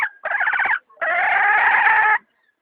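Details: Domestic hen giving two loud, harsh, nasal calls, a short rasping burst followed by a longer sustained drawn-out squawk, with a brief quiet gap between them.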